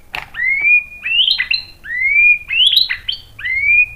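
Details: White-rumped shama singing to prompt other shamas into song, a series of bright upslurred whistles repeated about every second, each followed by short higher chattering notes, loud and clear over a quiet background.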